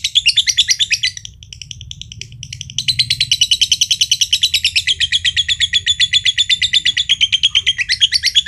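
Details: Green standard-colour lovebird, a prized contest bird from Mojokerto, gives its long trill, called ngekek, that sets other birds trilling: a high, rapid chattering pulse of about six notes a second running on for several seconds after a brief pause.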